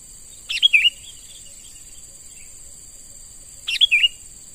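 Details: Two loud, clear bulbul phrases of quick liquid chirps ending in a downslurred note, about three seconds apart, from a young wild-caught sooty-headed bulbul under lure training; continuous high insect drone.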